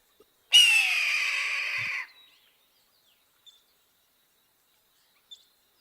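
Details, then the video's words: A single hoarse, rasping scream from a Red-tailed Hawk, about one and a half seconds long and slightly descending, followed by near silence. "Oh, actually, before we look at the pictures, let's listen to a red-tailed hawk because you should learn what this sounds like."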